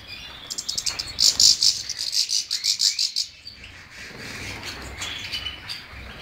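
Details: European goldfinch delivering a fast, rhythmic series of roughly a dozen buzzy, grating pulses, followed by quieter twittering notes.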